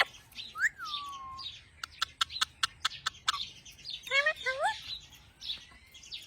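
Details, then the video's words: Talking parrot, Mian mithu: a falling whistle opens, followed by a quick series of sharp clicks, then a cluster of rising harmonic calls and soft chatter. "Talking parrot. Mian mithu."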